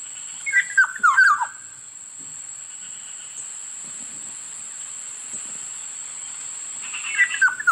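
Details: Black-naped oriole calling: a short fluty phrase of liquid whistled notes sliding downward, given near the start and again at the end after a quiet gap, over a steady high electronic whine.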